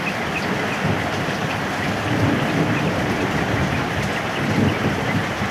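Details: Steady heavy rain pours with a low, rumbling background and no animal voices.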